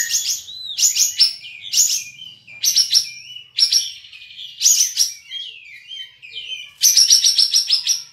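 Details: Contest cream-vented bulbul (kapas tembak), a caged bird from Singkawang, West Kalimantan, delivers loud high chattering bursts roughly every second, mixing rapid trills with brief sliding whistles between phrases.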